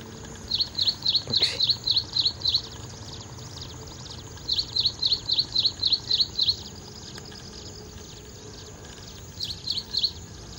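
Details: Ashy prinia calling in bursts of eight to nine quick, high, evenly spaced chirps, a pause, another similar burst, then two softer notes near the end; steady low background hiss.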